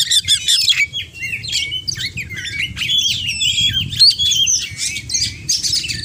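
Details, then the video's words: Kacer, the oriental magpie-robin, singing 'gacor' with 'isian' mimicry: a continuous stream of bright whistled slurs, trills and chips jumping between pitches, over a steady low background hum. "Kacer Gacor Full Isian "bikin burung kacer lawan auto benggong""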